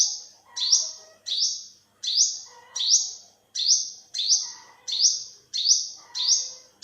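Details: Olive-backed sunbird calling with high, sharp notes, each a quick upward flick settling into a thin buzzy tone, about eleven in seven seconds at a steady pace, with faint lower twittering beneath.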